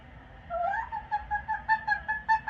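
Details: Pet yellow-naped amazon parrot on its perch during an evening football game, making noise: a rising whistled note, then a quick series of short, clear tonal notes repeated about five times a second, with a low background hum.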